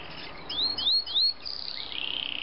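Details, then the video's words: Champion Yorkshire canary whose song is filled with blackthroat phrases, giving three quick rising whistled slurs in succession, then a long buzzy trill that pulses rapidly to the end. "kicau kenari yorkshire gacor banget"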